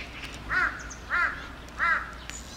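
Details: Three harsh, hoarse crow caws, evenly spaced about two-thirds of a second apart, over faint background hiss, from a neighbourhood where hundreds of crows perched on utility poles and flocked together in the sky.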